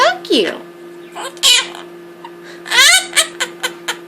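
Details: Two-year-old pet monk (Quaker) parakeet chatters in short, scratchy, speech-like bursts imitating human words such as "what what" and "bad bird", learned from another rescued Quaker parrot.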